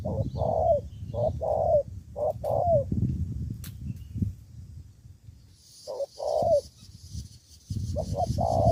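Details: Spotted dove decoy in Cà Mau, Vietnam, answering rival birds. It gives several rapid paired coos in clusters, breaks off, then resumes, over heavy low-pitched rumble and a brief sharp click.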